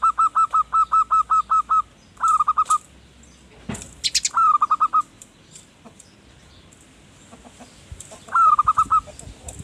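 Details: Actively singing zebra dove, called perkutut, its manggung song used to lure wild birds: a fast run of eight even cooing notes, then several shorter groups of rapid notes, with a sharp rustling crackle midway.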